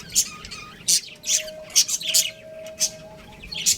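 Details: Home-kept budgie breeding pair: sharp, short high chirps spaced about every half second over a faint steady background hum.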